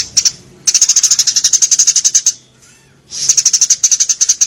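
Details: Eurasian tree sparrow calls used to tutor cage birds, with long strings of very high, sharp chirps repeated several times a second, a brief lull, then another fast chirping run.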